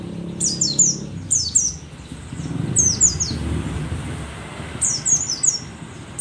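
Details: Mountain white-eye of the dakun type, a rare Merapi endemic, an old bird still singing vigorously: bursts of three or four thin, high, sharply descending whistled notes, repeated about every two seconds over a low background rumble.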